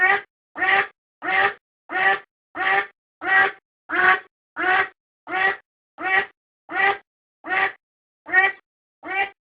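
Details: Domestic duck quacking, recorded for use as a decoy: about fifteen nasal, harshly harmonic quacks delivered at a steady pace, roughly one every two-thirds of a second, against a silent background.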